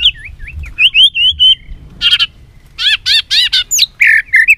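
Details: White-rumped shama, caged, singing a fighting song: a run of quick looping whistled notes, then a pause and a burst of loud, rich, rapidly repeated warbling phrases.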